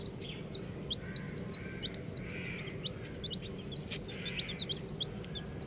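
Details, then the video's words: Colourful baby chickens chirping: many short, high, arched peeps overlap in quick irregular bursts from several chicks, over a steady low background hum. "Colourful Baby Chickens | Cutie Chicks Chirping Sounds"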